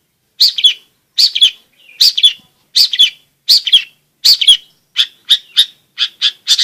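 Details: Persistent long-tailed shrike song for provoking quiet shrikes to sing and tutoring young birds. Paired high chirping phrases repeat a little under once per second, then turn into quicker single notes.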